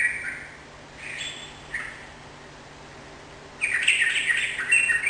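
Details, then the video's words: Sooty-headed bulbul in lively song meant to make a caged bird reply: three short liquid notes spaced about a second apart, a pause, then a louder, rich bubbling phrase of jumbled warbles. "suara burung trucukan gacor || jadikan trucukan mu ikut nyaut dan gacor"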